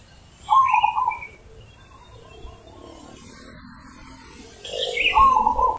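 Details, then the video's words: Zebra dove, deep ulem-style cooing. Two rolling, trilled low coo phrases about four seconds apart, the second longer and buzzier, with soft background noise between. "Perkutut Manggung ULEM Super BESAR"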